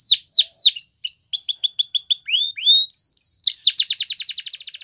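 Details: Canary training song for teaching young canaries: rapid trilled tours of downswept high notes, then a slurred pair of whistles, a short pause, and a fast, even buzzy trill to the end.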